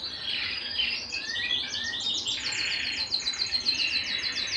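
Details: Canary singing at home, soft warbled phrases giving way to a long, rapid, even series of sharply repeated high notes running to the end.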